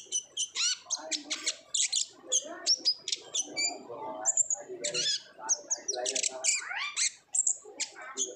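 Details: Lure recording of an olive-backed sunbird in lively 'ngobra' chatter: quick sharp high chips and twittering notes, brief clear whistled tones near the middle, delivered in fast irregular bursts over a faint low background.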